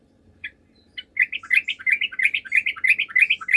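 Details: Sooty-headed bulbul lure song for making rival birds respond: two tentative chirps, then an unbroken, rhythmic chatter of rich rising and falling notes, about five per second, over a faint hum.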